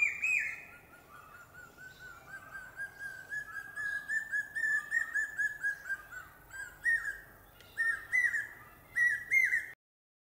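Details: Common hawk-cuckoo, also called brain fever bird, calling a series of whistled "pi-peeah" notes that climb steadily in pitch and grow louder, then break off abruptly; faint chirps of other birds sound in the background.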